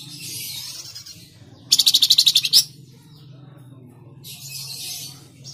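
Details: Flamboyan bird singing tledekan jati, a lure song for caged birds: a loud run of about ten rapid, evenly spaced high buzzy notes, flanked by softer hissing high trills, over a constant low hum.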